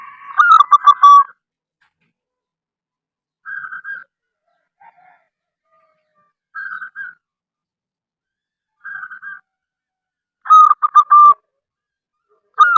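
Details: Local wild-type zebra dove (perkutut) singing to lure other doves into calling: a loud rolling phrase of staccato cooing notes opens, soft single coos follow every few seconds, then another rapid stuttering phrase near the end.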